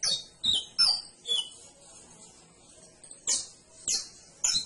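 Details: High canary notes: four quick descending chirps at the start, a soft thin trill, then three bright sharp syllables spaced about half a second apart.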